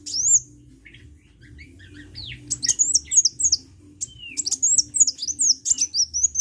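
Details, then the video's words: Vigorous sunbird song with isolated high squeaks followed by bursts of very high, thin, rapidly repeated zigzag chirps separated by brief pauses, and a quiet low hum beneath. "KICAU BURUNG KOLIBRI GACOR"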